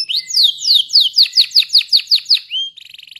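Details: Singing canary in a rich rolling style: a run of about ten bright downward-swept whistled notes repeated at an even pace, then a short rising whistle and a fine rapid trill.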